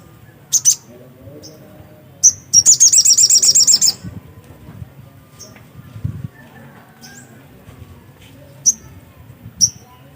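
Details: Black-capped white-eye singing: a few high chirps, then a fast burst of about a dozen sharp twittering notes, followed by isolated thin high calls over a soft low background.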